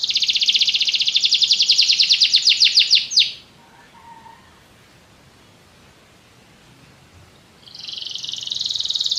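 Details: Canary singing a long pulsed rolling trill that ends in sweeping notes, followed by a pause before another high trill begins.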